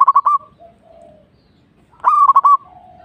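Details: Two quick bursts of rapid, clipped cooing from a local Indonesian zebra dove, the second opening with a bright rising note and ending in a short trailing tone, faint calls in between.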